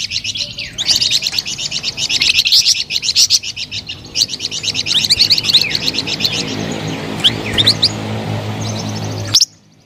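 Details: Melodious flamboyan bird song made of continuous high, fast chattering trills with sharp rising whistles mixed in. It fades to a few scattered notes before stopping abruptly.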